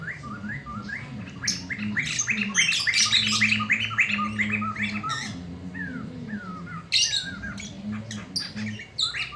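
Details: Loud midday black-throated laughingthrush, used as tutor song for young birds. A vigorous run of rapid chattering and whistled notes, about three per second, then harsh bursts and a few falling slurs over a low hum.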